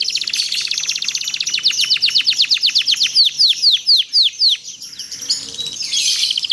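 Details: Domestic canary in long, rapid 'cuit cuit ceer' song meant as a training master: a very fast high trill slowing into distinct curved sweeping notes, ending with brief rough chirps.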